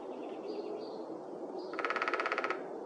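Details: A Downy Woodpecker in the Whitemud Creek Valley, Edmonton, Alberta, in April, tests a tree by drumming from different angles: a quick, dry roll of about fifteen rapid taps in under a second, after faint high whistles from other birds.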